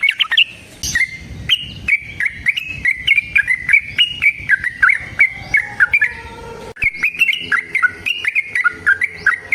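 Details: Sooty-headed bulbul fighting song, used to make other bulbuls sing: a long, almost continuous chain of clear, slurred whistled notes wavering up and down, broken by one short gap before resuming.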